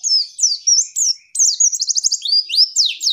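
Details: Female pleci call meant to stir a male into singing quickly: a busy three-second run of high sliding notes with a fast, even trill of clipped chirps midway.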